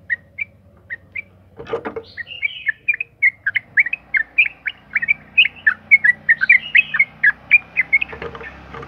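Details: Sooty-headed bulbul in lively form, singing a long "ropel panjang" song used as a lure to get other bulbuls singing; quick bubbly whistled notes, about four per second, rising and falling, with a brief rattling noise near two seconds.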